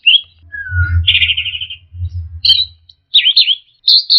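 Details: Orange-headed thrush lure recording meant to get a stressed, silent bird singing again: varied whistled phrases, a downslurred note, a rapid trilled burst, then separated twisting warbles, over a low background hum.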